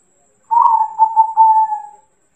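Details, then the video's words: A local wild zebra dove sings to lure a reply, giving one gentle low phrase: throaty pulsed coos at the start, then a long level hum that tapers away. Nothing else is audible. "pancingan perkutut manggung langsung nyaut"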